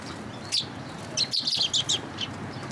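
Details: Sparrows coming to a water bridge at a Tenmangu shrine to be fed, 9 October 2022: one high, sharp chirp, then a quick burst of bright chirps, with wing flutters over a steady outdoor hum.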